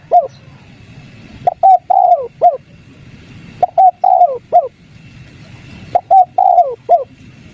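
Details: Spotted dove 'kuk 3' lure for prompting wild doves to call: three regular phrases of soft short coos around a longer falling coo, repeated roughly every two seconds against a quiet background.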